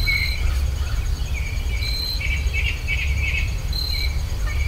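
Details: Birds in rural Virginia recorded with stereo ultrasonic microphones: steady whistled notes, a burst of four quick warbled notes midway, and sparse high tones, all above a persistent deep background drone.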